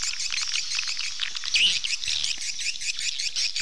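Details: Many swallows chatter in a continuous high twittering, with one clearer rising-and-falling squeaky note standing out midway.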